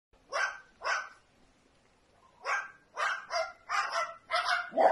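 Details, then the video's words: Small bird barking like a dog, giving short harsh yaps: two spaced barks, a pause, then a quicker run of five or six rough barks toward the end. "Passarinho Latindo"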